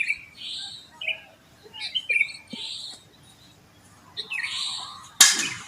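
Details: Sooty-headed bulbul chirping after dawn around a residential complex; scattered short warbled notes and brief phrases with pauses, ending in a sudden loud knock or bang.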